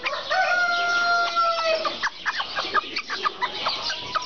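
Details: Serama chickens: a long, level, strained crow opens, followed by a rapid series of short clucking notes from several birds.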